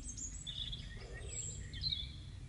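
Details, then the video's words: Brief burst of birdsong outside a house after rain, May 2015 evening: thin high whistles and short chirping notes from more than one bird, with a constant low-frequency hum underneath. "CHANTS DOISEAUX"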